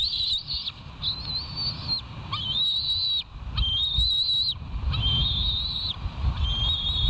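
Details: Wild bald eagles at the West End nest, recorded on a live nature cam on 28 July 2023 at 05:13. High, thin whistled calls come in series of drawn-out, slightly wavering notes over steady low wind rumble.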